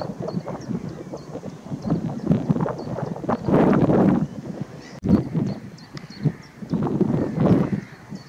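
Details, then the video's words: Dark-bellied brent geese in Lincolnshire, March 2023: low, rolling murmuring calls from a flock in bursts, with wind rumble and a sharp knock midway. "Dark-bellied Brent Geese"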